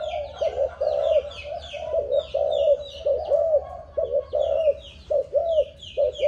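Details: Low, hooting coos from a young Malaysian-line spotted dove, aged seven months and descended from a stammering decoy bird, come in clipped repeated phrases, with a chorus of small birds chirping overhead.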